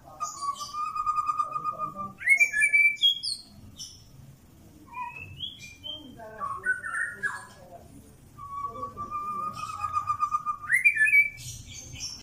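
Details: A white-rumped shama in mental training gives a long steady whistle that jumps upward, then varied short slurred notes. The long whistle and rise are repeated near the end, over a constant murmur of voices and room noise.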